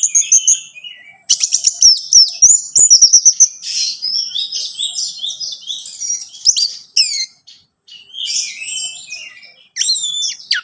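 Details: Singing orange-headed thrush, played to get a captive bird singing: a fast rattling series of chips, then a varied stream of high twitters, slurred whistles and abrupt downward sweeps with a few short gaps.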